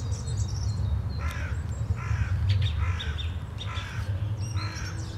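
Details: Song thrush song on a Sunday morning in April 2021: a short chirping phrase repeated about once a second, with thin high notes between, against a heavy low background rumble.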